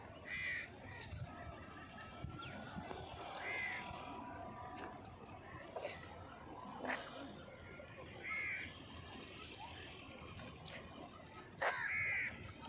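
Grey francolin giving four harsh, ringing calls spaced a few seconds apart over steady rustling background noise.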